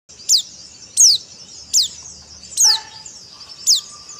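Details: White-eye singing in the dakbal style: five sharp, high, downward-sweeping chirps, about one every 0.7 seconds. A faint lower tonal note enters near the end over quiet background hiss.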